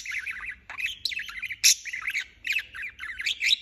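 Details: Non-stop budgerigar chirping: harsh, grating squawks mixed with quick warbled chirps, one sharp shriek standing out in the middle.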